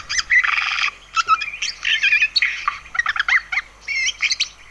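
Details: Eurasian Jay, known to mimic other creatures' voices, giving a dense, varied stream of harsh rasps, squeaks and chattering phrases in quick bursts with short pauses between.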